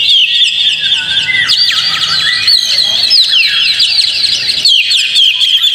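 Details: Lure song of an Oriental magpie-robin, meant to spur a kept bird into constant singing: rapid, tangled whistles sweeping up and down, a brief low descending slur early on, the whole phrase busy and loud.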